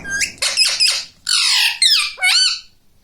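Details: Talking pet ringneck parrot gives harsh, raspy squawks and strained, wavering syllables in quick succession, several short bursts and then two longer, rougher notes.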